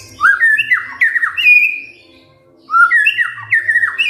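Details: White-rumped shama kretekan fighter song for provoking silent birds to reply: two loud bursts of fast, rising whistled notes and clipped chatters with a short quiet gap between them.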